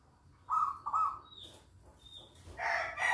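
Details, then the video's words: Local zebra dove in active song: two loud, vibrating coos, a brief thin whistle, then a louder, harsher burst at the end. "Perkutut lokal GACOR"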